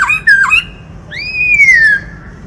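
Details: Black-throated laughingthrush singing while displaying, switching among many voices: loud, clear slurred whistles, first a wavering, dipping phrase, then after a short pause a long pure whistle that rises and slowly falls, with a quiet background.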